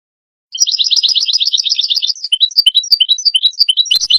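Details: Lure recording for catching goldfinches: a European goldfinch bursts into fast, bright twittering trills after a short silence, then continues with spaced, lilting chirps and short twitters.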